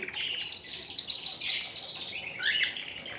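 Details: Canary song: quick chattering notes run into a thin, sustained high whistle, then descending slurred notes and a fast twitter.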